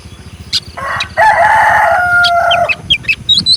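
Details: Rooster giving one long crow, a steady harmonic note held for about a second and a half that fades out, framed by short high chirps from small birds.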